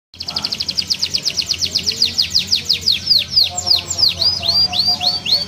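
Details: Green canary singing a varied song: rapid rolled trills of fast repeated notes, shifting into slower, looping whistled notes, over a low background hum.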